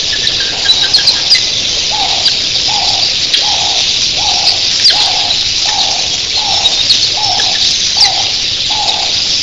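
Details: Thousands of red-billed queleas in the early morning make a dense, hissing roar of high chattering voices, their wings sounding like surf, while a lower hooting note repeats about every seven-tenths of a second beneath it.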